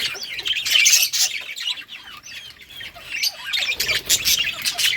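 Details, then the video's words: Colony of budgies playing, August 25, 2023: a busy chorus of high twittering and short squawks, loudest at the start, easing in the middle, then rising again with rapid chirps. "budgies beautiful colors playing and chirping sounds"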